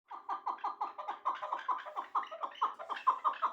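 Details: Chukar partridge, one of two caged birds (a wild-caught two-year-old and a one-year-old hybrid), giving a fast run of clucking chuk notes about five per second, steady and slightly rising in loudness, indoors with no other sounds.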